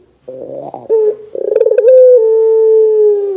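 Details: Barbary dove in lively calling form, played to make other doves start calling: a rough stuttering burst, a short pulsed run, then one long steady low-pitched hum that sinks slightly at the end.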